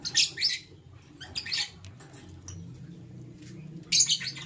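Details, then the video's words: Morning chirping of a lovebird: rasping, high, broadband bursts in quick pairs at the start, a few softer scratchy notes in the middle, and a loud buzzy burst near the end, with a faint low hum. "Sweet Lovebird Sounds - Chirping Sounds"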